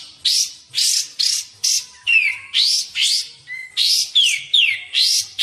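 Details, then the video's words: Sooty-headed bulbul lure recording used for bird-trapping and song training: loud, buzzy upward-sweeping notes repeated about twice per second, mixed with a few clear descending whistles and one short flat whistle. "suara burung kapas tembak | suara pikat kapas tembak!!! cocok buat pikat dan masteran"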